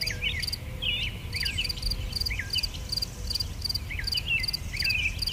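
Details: Wild bird calls from a garden in England: short curling whistled notes repeated through the clip, over steady pulsing insect chirring and low background rumble.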